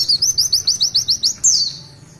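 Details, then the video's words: Oriental white-eye (pleci) singing a long tulitwitwit phrase in gacor style: about nine high, quick rising notes in an even row, closed by a single sharp downslurred whistle that fades out. "Tulitwitwit panjang pleci Gacor"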